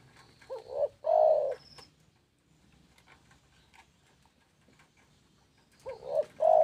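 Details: {'text': 'Spotted dove singing two coo phrases about five seconds apart, each a quavering short note followed by a longer steady hoot, with faint clicks and rustling between.'}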